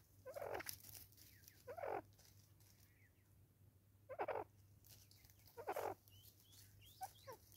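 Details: Natal spurfowl in South Africa, 2024: four loud, harsh, grating bursts spaced about one to two seconds apart. Fainter thin sweeping notes sound between them over a low steady hum.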